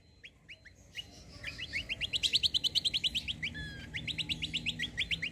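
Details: High, rapid white-eye song played as a lure for answering birds: thin rising notes quicken into a long steady trill of short chirps, then a brief whistle and another chirped series over a soft background hiss.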